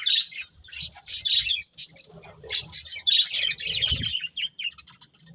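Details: Breeding pair of budgerigars giving rapid, buzzy chirping bursts of about a second each, separated by short gaps, with a low thump near the end.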